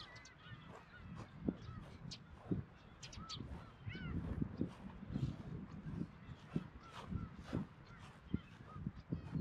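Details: Early-summer Black-tailed gull colony on Kabushima island, Hachinohe, Aomori, Japan, June 2020, chicks present: scattered drawn-out mewing cries, some rising then falling, over a busy background of low rumbling wind and knocks.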